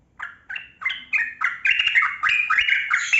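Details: Yellow-vented bulbul of the trucukan kebo type singing a long, lively ropel-style phrase. Loud bubbly chattering notes rise and fall rapidly in a continuous stream, used to coax silent bulbuls into song.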